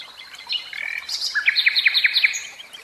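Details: Common nightingale in captivity delivering a phrase of six loud, evenly spaced upswept whistles, preceded by quieter warbling notes.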